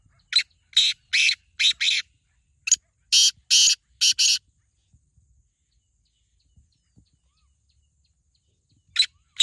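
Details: A captive black francolin calls in a burst of harsh grating notes, grouped in short runs, then falls silent for several seconds before two more rasping notes.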